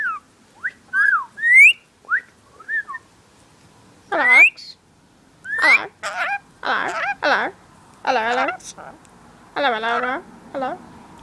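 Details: Pet female Rainbow lorikeet that mimics people talking, whistles and says "hello"; a string of whistled rising and falling notes, then louder harmonic, speech-like syllables dipping low and sweeping up, in short bursts with pauses, indoors.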